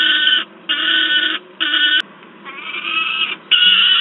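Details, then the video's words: Juvenile peregrine falcon in Wałbrzych, Poland, recorded 10 August 2022, screaming noisily: several grating harmonic cries of uneven length with short gaps, one brief sharp click midway. "Sokół wędrowny PEC Wałbrzych (PL) - Baron i rozwrzeszczany Gutek"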